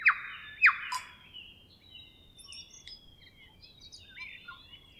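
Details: Grey warbler (riroriro) at Kapiti, New Zealand, giving a thin, sustained high whistle. Two loud, sharp clicking notes open the clip, followed by quieter chirps and short slurred notes.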